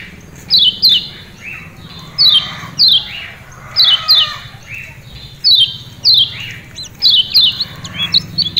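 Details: Lemon-bellied white-eye from Lombok, known locally as kecial kuning, giving its ciak ciak calls, used to spur caged birds to sing. Sharp, high, downslurred chirps come in pairs every second or so, with faint hum beneath.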